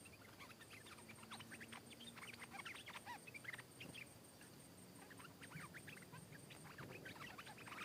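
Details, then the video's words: Counter-singing between a wild stripe-throated bulbul and a caged bird it fights: repeated clusters of rapid liquid notes, a gap near the middle, then another energetic bubbly sequence, over a soft low hum. "เสียงนกดอกแตงEp.423 ก่อนหน้านี้มีนกเขาทำหลุด นกป่ามาถึงตัวร้องโต้ลงตีอย่างดุ(Stripe-throated Bulbul)"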